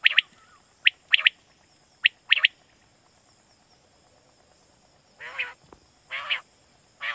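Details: Pakistani quail lure call for night hunting: quick sharp high notes, single and paired, in the first seconds, a quiet gap, then several rough, buzzy rasps, with constant high-pitched background hiss.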